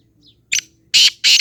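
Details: Black francolin calling in three harsh, grating bursts, one short and two longer and loud, all high and noisy with little low sound, over a quiet background.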